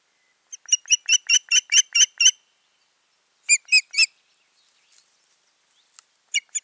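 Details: Osprey pair at the nest on 14 June 2019, one bird giving a rapid run of sharp, whistled cheeps about eight notes long, then a shorter burst of three after a pause, with a few scattered notes at the end.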